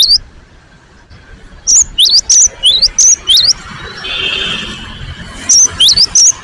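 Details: Cinereous tit (gelatik batu) song: a phrase of six sharp, high, twisting whistles, a brief hissing sound, then another quick whistled burst.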